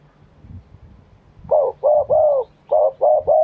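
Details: Thai spotted dove of wild origin in fresh crowing song: after a quiet start, six loud rounded coos in two groups of three, the third note of the first group longest.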